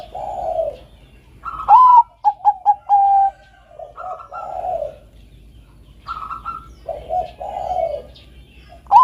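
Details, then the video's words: Zebra dove of the Bangkok perkutut type singing actively, a melodious song used as a lure and master for training doves: rising whistled opening, a quick run of four short staccato coos, then lower drawn-out cooing phrases, repeated several times. "BUNYI SUARA BURUNG PERKUTUT BANGKOK GACOR SUARA MERDU COCOK UNTUK PANCINGAN TERAPI MASTERAN KUTUT."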